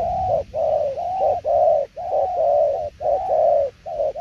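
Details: Loud, close spotted dove giving 'đồng tiểu liên nước' cooing, steady low mellow notes about half a second long, repeated in a tight even rhythm with short breaks.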